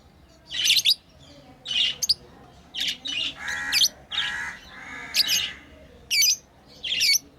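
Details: Pet lovebirds playing give repeated piercing chirps, short and evenly scattered, with a couple of longer rasping buzzes in the middle.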